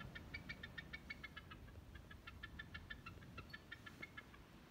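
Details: A chatty bald eagle soaring over the high bluff above the shore at Dungeness County Park, Sequim, Washington, on 23 May 2020, gives thin, high, staccato chittering notes in quick rising and falling runs over low wind or traffic rumble.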